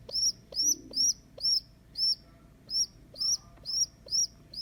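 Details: Abandoned baby rock pigeon, taken in from a neighbour's roof and cared for at home, day two: a steady run of piercing, slightly arched squeaky peeps, about two per second, each brief with a small upward lift and a faint tick before some notes.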